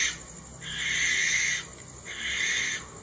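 A barn owl gives two harsh, hissing screeches, each about a second long, with a short pause between them.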